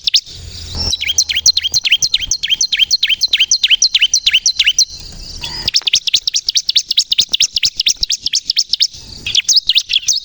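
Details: Persistent bar-winged prinia song meant to lure birds and spur other prinias into emotional singing: long runs of high chirps, each dipping sharply downward, with two brief pauses between bursts.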